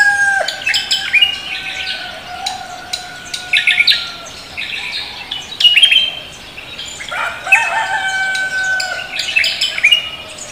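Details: Cucak kombo singing energetically at dawn, greeting the morning: a busy run of sharp chirps and short bright whistles. Lower drawn-out tones sound underneath throughout.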